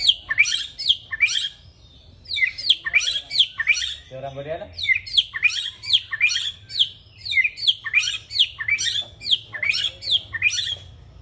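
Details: White-rumped shama, a caged bird, in loud energetic song: rapid bursts of sharp, high whistled and chattering notes repeated in quick phrases, with a brief lower rattling note near the middle and a faint low hum behind.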